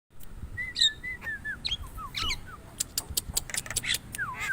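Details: Javan myna song: short whistled notes near the same pitch, some slurred downward, mixed with sharp clicking and rasping bursts, against a low background rumble.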